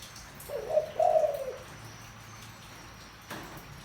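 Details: Spotted dove, low-pitched bird used to rouse a decoy: a brief hollow note, then a drawn-out mellow coo, followed by quiet with one soft knock near the end.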